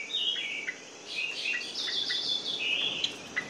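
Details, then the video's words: Orange-headed thrush song, used to trigger sluggish birds to sing: muffled, overlapping whistled and warbled phrases set in a noisy, hissing background. "PANCINGAN ANIS MERAH MACET DAN MALAS BUNYI"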